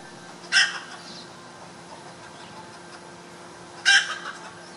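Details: Red junglefowl hen giving two short, harsh, raspy calls about three seconds apart, each a brief burst with a quieter trailing note, over a faint steady background hum.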